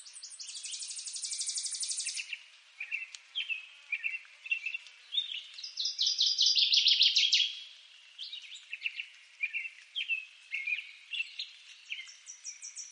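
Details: Northern waterthrush song amid several birds. An opening high, dry buzzing trill is followed by scattered chirps. A loud run of quick, ringing repeated notes then rises and falls over about two seconds, and faint high ticks continue.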